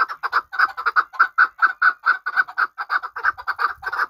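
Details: Chukar partridge kept for hunting, from Qabodiyon: rapid repeated chuck notes, mid-pitched and fairly even, delivered in a continuous rhythmic series without other sounds.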